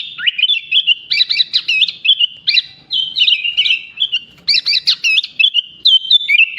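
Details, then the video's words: Energetic sooty-headed bulbul song stuffed with imitations of bar-winged prinia, greater green leafbird and Asian pied starling: dense bursts of bright, looping whistles and twittering notes, repeated in rapid clusters with brief gaps. "Burung kutilang gacor isian paling mewah"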